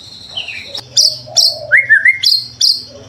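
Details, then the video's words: White-rumped shama singing actively, used to prompt other shamas into song: a short, sparse phrase of sharp high chips and clear whistled notes, one a slurred rising whistle, with quiet gaps between. "Suara murai batu gacor AMPUH buat PANCINGAN murai batu agar BUNYI"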